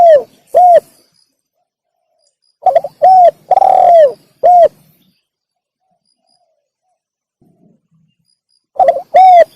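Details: Spotted dove lure call for wild doves, phrases repeating every few seconds: each starts with a short stutter, then a clear coo, a long hoarse coo and a short closing coo, with quiet gaps between.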